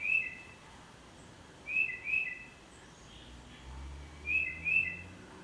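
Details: A Tufted titmouse sings in a backyard, whistling clear, high 'peter' notes mostly in pairs rather than the typical three. Three bursts come about two seconds apart over a faint low rumble.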